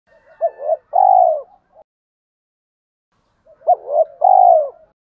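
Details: Spotted dove calls, male and female voices used to stimulate trained birds: two phrases about three seconds apart, each with short soft coos leading into a long, low, falling coo.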